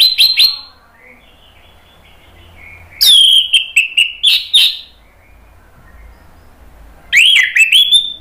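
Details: Anis merah, the orange-headed thrush, song for coaxing birds to reply. Three loud phrases of sharp descending whistles mixed with harsh chips, the last a rising strained whistle, with quiet intervals between.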